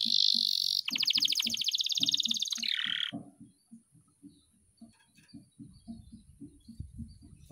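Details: Canary worked up and agitated ahead of a singing contest, pouring out loud, rapid, high rolling trills and buzzy runs for about three seconds before stopping; afterwards soft low rhythmic ticking thuds continue in the background.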